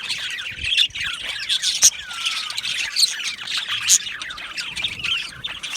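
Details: Australian budgies chirping in a colony aviary, scratchy chatter broken by a few sharper, louder squawks and one drawn-out downward slurred note, several birds calling together.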